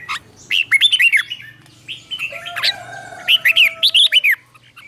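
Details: Red-whiskered bulbul tutor song from Thailand, a caged bird's doubled 'berl' phrases meant to excite and teach young bulbuls: short bursts of lively slurred whistles, a quiet gap with one long steady whistle, then a final fast burst.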